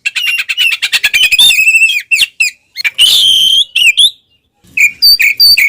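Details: Oriental magpie-robin giving a loud 'ngeplong' fighting song used as a lure to provoke rival birds: fast rattling buzzy bursts, then rich whistled and squawky phrases broken by short pauses.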